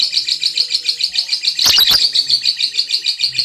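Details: Lovebird in long ngekek chatter meant to train other lovebirds, a fast pulsing high trill of about three to four notes per second, broken midway by a short loud harsh squawk.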